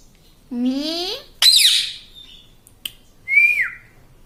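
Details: Pet parrot, a talking bird said to say "mummy": a rising harmonic vocal sweep, a harsh burst, a sharp click, then a bright descending whistle-like note, in a quiet indoor setting.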